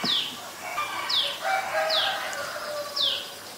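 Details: Common Tailorbird, an adult in Ubon Ratchathani, Thailand, on 11 April 2022, giving four loud, high, falling notes spaced about a second apart, with softer warbling from another bird underneath.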